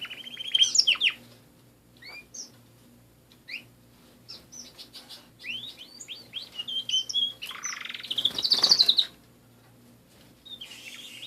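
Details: Pet canaries singing: scattered sweeping whistled notes and short chirps, then a loud rich rolling trill near the end, with quiet gaps between phrases.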